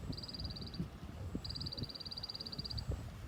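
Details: Quick, high staccato trills from a white-eye, a short burst followed by a longer even one in the 'tành tạch' style, over continuous low background noise.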